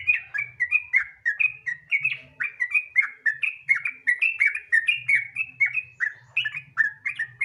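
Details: Relaxed, energetic sooty-headed bulbul song meant as a lure to get other trucukan singing quickly; continuous stream of liquid, slurred whistles, many sliding downward, delivered several per second without pause, soft low hum in the background.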